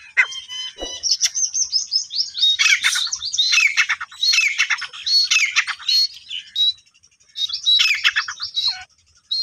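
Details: Female grey francolin, a kept desi teetar, giving rapid bursts of harsh, squeaky chattering notes in clusters with short pauses between them.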